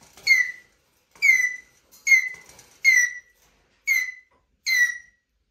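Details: Eurasian jay, described as a mimic, squeaking plaintively: six clear, descending squeaky whistles with bright overtones, each short and falling in pitch, given roughly once a second with short silent gaps, and no other sounds around them.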